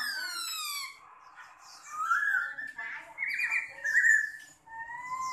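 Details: Chinese hwamei kept in a cage, big-bodied with a fanned tail, delivers long sliding whistles and bright warbled phrases, some notes falling steeply, with faint background chatter.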